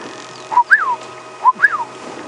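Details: Orioles call around a morning safari vehicle at Djuma Game Reserve on 29 February 2016. The call is a liquid, fluty whistle, a short note followed by a rising and falling slur, repeated.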